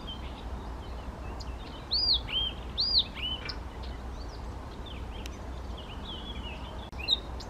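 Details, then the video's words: Male Blyth's reed warbler singing spontaneously without playback at Bukovský pond near Těchařovice, Czech Republic, June 2014; a marsh warbler tried to chase it off. Two loud arched whistles, then softer chattering notes and trills over constant low rumble. "Rákosník pokřovní, Blyth's reed warbler, Buschrohrsänger, Садовая камышовка, Zaroślówka"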